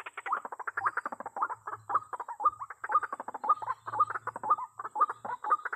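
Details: Waterhen lure call, white-breasted waterhen, used to make the birds come quickly: rapid rough clucks building into a rhythm of accented notes roughly every half second, over a faint low hum.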